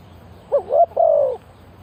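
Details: Spotted dove calling as a decoy for luring wild birds: a brief soft note, a rising coo, then one longer drawn-out, gently falling coo.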